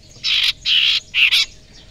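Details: Young wild common iora (cipoh sirtu) from the forest, its voice used as a lure: three harsh, buzzy, high notes, each about a quarter second long, separated by short gaps, over a quiet background.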